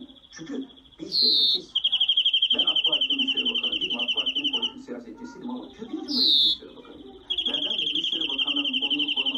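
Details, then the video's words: European greenfinch (Carduelis chloris) singing: long rapid trilled rolls held on one high pitch, each broken by a short wheezy rising note, the pattern heard twice, over loud male speech and background music. "Greenfinch Song"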